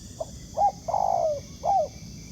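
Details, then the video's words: Wild spotted dove answering a ground decoy during trapping: a short soft note, a doubled note, then a long drawn coo with a falling tail and a final slurred note, over a low steady hiss. "Bẫy cu gáy mồi đất, gặp chú bổi gù tốt, đẹp chim, có tố chất"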